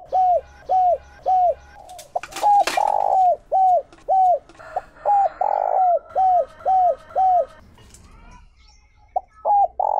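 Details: Calling decoy spotted dove of the Chiêu Ba Hậu style, kept to lure wild doves: a fast series of mellow down-curving coos, two longer harsh coos, and a brief rustle and pause near the end.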